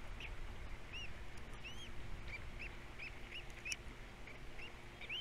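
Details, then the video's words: Osprey nestlings on Captiva at feeding time: sharp arched whistled chirps, rising then falling, repeated about twice a second over a constant low background hum. "All 3 osplets doing well, #3 especially at feeding time"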